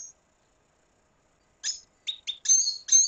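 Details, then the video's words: Red siskin of Venezuela: after a silent stretch, a few sharp high chirps then a rising, louder burst of twittering song notes. "Canto Cardenalito Venezuela"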